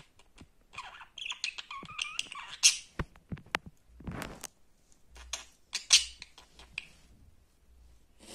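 A budgerigar chatters in quick, squeaky warbles broken by sharp clicks and chirps.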